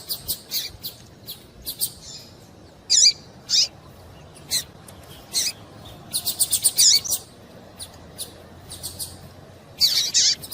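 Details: Calls of a female double-collared seedeater, used to make the male sing. Short high chirps come singly and in quick bursts. Several louder buzzy notes stand out, and a dense flurry comes midway.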